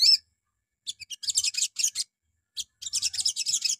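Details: Little spiderhunter (sogon) lure song in the morning, meant to make other birds answer: a loud opening whistle, then two runs of quick, dense high chattering notes.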